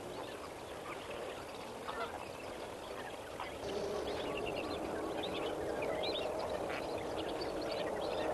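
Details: At sunrise on 18 May 2024 at Kamfers Dam, a large flock of lesser flamingos keeps up a dense, steady goose-like gabbling and honking. It swells halfway through, with a few higher chirps above.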